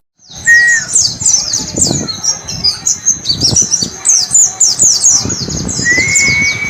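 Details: White-eye singing the ngalas "wit wit cer" style, used as a training recording for pet birds: rapid runs of high, thin downslurred chirps, a few steady whistled notes lower down, and soft low thumps beneath.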